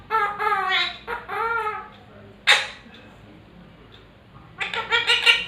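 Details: Pet Indian talking parrot singing the Hindi film song "Tujhko Na Dekhu To": wavering, voice-like sung phrases with rich harmonics, a sharp burst midway, then a final rising sung phrase, indoors.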